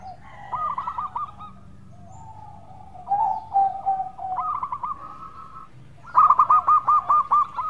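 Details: Local zebra dove giving its melodious lure song, with soft cooing phrases at changing pitches building to a loud closing series of crisp, rapidly repeated coo notes.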